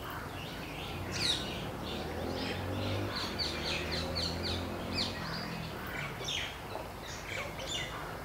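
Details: A trio of wire-tailed swallows on a barren tree call to each other with quick, high twittering chirps in irregular bursts, alongside a black kite's calls, over a steady low hum.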